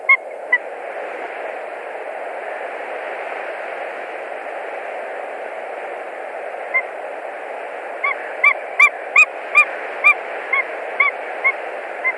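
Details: Wild white-tailed eagles at their nest in Latvia on 1 March 2020, a pair bringing straw and sticks during nest building and attempting to mate; after a long stretch of steady hiss, a quick run of high, yelping notes arrives near the end.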